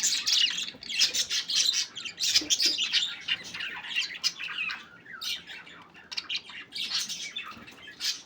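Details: Playing budgies give a busy mix of harsh squawks, chirps and warbling chatter, bursts swelling and easing roughly every second or two as several birds call together.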